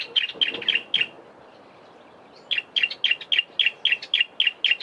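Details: In a garden in the Eastern Cape, South Africa, a Bar-throated Apalis gives quick, high, sharp notes: a burst of four, a pause, then about eight more at a brisk, even pace.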